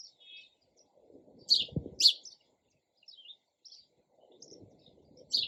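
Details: Sparrow chirping with a few loud high chirps among softer chips, over low background rumble and a knock in the middle.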